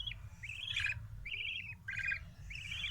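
Young budgerigar chicks give short, raspy chirps, repeated in quick bursts over a low rumble.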